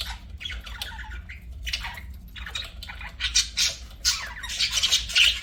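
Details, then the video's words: Pet budgies chirping, scattered scratchy warbles early, then a busier stretch of loud, buzzy chatter and sharp squeaks building toward the end. "BUDGIES SINGING & CHIRPING"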